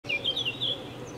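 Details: A Eurasian blackcap perched on a willow branch attempts a brief morning song, a quick run of clear, fluty, slurred notes in a high, bright warble over a low background hum, before a collared dove chases it off.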